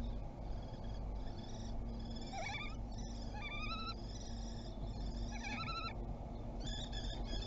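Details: Common kestrel defending its territory, recorded 27 April 2021 at Théding, France: sharp, squealing notes that rise and fall, with rich overtones, given in short uneven bursts over a constant low rumble of background noise.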